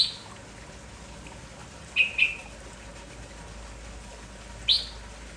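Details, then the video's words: Red-whiskered bulbul, kampong type, energetic in the morning and calling continuously: a chirp at the start, a quick pair of short bright notes midway, then one more rising-falling chirp near the end. "MERBAH JAMBUL KAMPONG GALAK TAK HENTI BERBUNYI"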